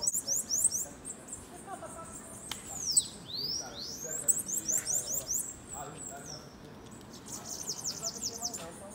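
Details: Bananaquit in a campeada: bursts of very high, thin, repeated sibilant notes and sweeping arcs, with people talking over parts of the song.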